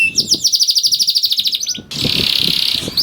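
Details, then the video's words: Canary song used to prompt reluctant canaries to start singing: a fast, loud trill of rapid high whistled notes, then a dense buzzy rolling phrase, with low thumping noises underneath. "KENARI GACOR DOR INI MEMANCING KENARI YANG SUSAH BUNYI JADI IKUT GACOR"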